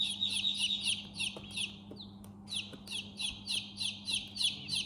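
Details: Chicks chirping indoors: a dense chorus of high, falling peeps repeated several times a second, over a constant low electrical-sounding hum.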